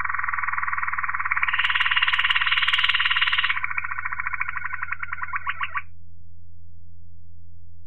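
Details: Waterslager Malinois canary song: a continuous rolling, bubbling trill rising into a brighter tour, then breaking into a slower series of water-like pulsed notes before stopping; low steady hum underneath.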